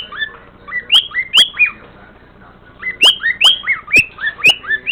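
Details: A male pet cockatiel whistles the first part of the tune "Tequila", which he has just learned, in clear, bright notes that slide and bend in quick phrases.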